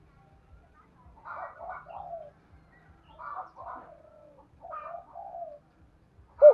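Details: Spotted dove cooing on a rainy, windy morning where a decoy calls to wild doves; three softer, distant phrases of rolling hollow coos, each ending on a lower drawn note, with light tapping in the background.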